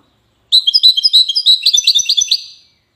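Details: Goldfinch from Safi, Morocco, sung as a loud two-second burst of rapid twittering notes, bright and tinkling, in a quick chattering run that trails off at the end.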